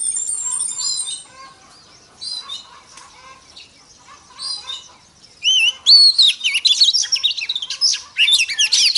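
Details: Female Oriental magpie-robin singing to excite males: soft distant twitters give way to a loud, fast cascade of high whistles, trills and chirps in the second half.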